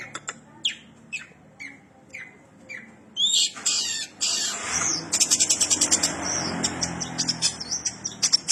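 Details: Long-tailed shrike (cendet) in full song imitating house sparrows: spaced downslurred chirps, then a dense burst of harsh, buzzy chatter and rapid ticking notes at high pitch.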